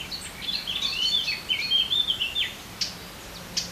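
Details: Common kingfisher, whose voice is described as sharp and penetrating, giving a run of shrill, high whistled notes with a few sharper, separate peeps toward the end over a faint background hiss.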